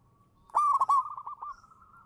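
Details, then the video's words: Local zebra dove singing as a lure bird: one loud, bright burst of trilled coos that breaks into softer rolling notes and fades into a low purring tail. "suara burung perkutut lokal manggung juara pancingan"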